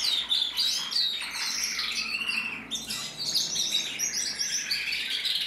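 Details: Singing male canary of the red-mosaic isabel colour variety from a German canary breeder, 2024: continuous high warbling with rapid trills and sweeping whistled notes, briefly dipping midway before resuming.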